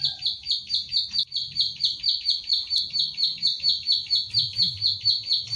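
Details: Ciblek sawah or klik klik bird (plain prinia), kept in Central Java and recorded on a phone as a training recording: continuous high, clipped clicking notes at a steady pace of about two per second.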